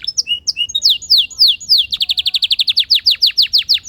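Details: Canary song opening with scattered high chirps and long descending whistles, then breaking into a brisk rolling trill of repeated down-slurred notes, over a soft low hum.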